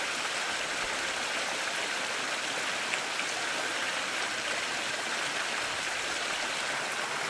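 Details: Bright, steady splashing of running water, like a brook, with no animal calls heard.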